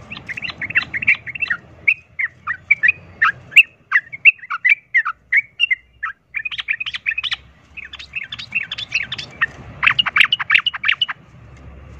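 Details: Sooty-headed bulbul fighting lure song in 'ropel tarung' style, provoking other bulbuls to fight; long, restless sequence of quick chirps and chattering bursts, briefly sparser midway, then a dense energetic flurry.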